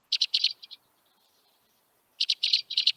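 White-winged Crossbill flight calls: two bursts of dry, rapid, mechanical chet notes, five or six in quick succession, separated by a second of silence.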